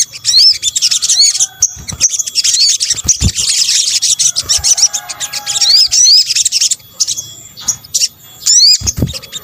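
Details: Sunbird lure sound, local name sogok ontong, Indonesia: long runs of high dense twittering with rising slurred whistles, pausing briefly before further upswept notes.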